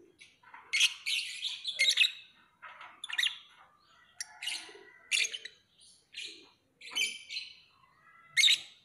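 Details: Lovebird chattering busily, a steady stream of high shrill chirps and buzzy squeaks of varying loudness, closing with one especially piercing note.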